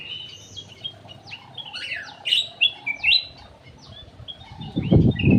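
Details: Lure song of cucak emas, the ruby-throated bulbul: rapid chirps and clear slurred whistles in energetic bursts, ending with loud low thumping handling noise.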